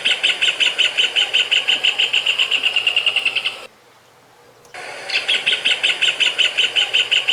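Rufous hornero giving a loud, rapid series of sharp, ringing notes, broken by a brief silence.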